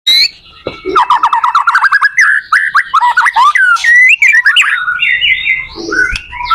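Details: White-rumped shama song meant to help teach other shamas to sing: varied whistled phrases, a fast run of repeated notes, then rising and falling slurred whistles and a few buzzy notes.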